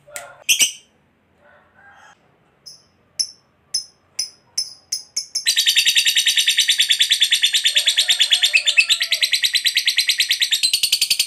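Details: Lovebird singing a long trill meant to draw other lovebirds into song: a few scattered sharp chirps and short clipped notes, then a dense, fast, shrill rattling trill running unbroken for about six seconds to the end.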